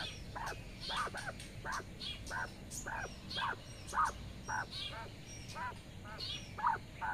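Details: Mother quail calling her twelve small chicks to follow her while grazing outdoors in the sun; short clucking notes repeated about twice a second, with thin high chick peeps above and a low rural background hum.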